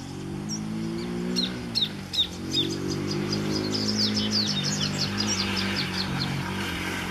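Little thornbird song: a fast run of thin, high chips and squeaky notes, several per second, over a steady low engine drone.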